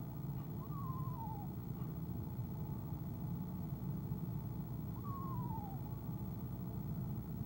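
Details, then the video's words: Eastern screech owl, a female in her nest box on an owl camera, calling on the evening of 25 January 2015 before leaving: two wavering, downward-sliding trills about four seconds apart over a constant low hum. "Athena ESO Athena trills"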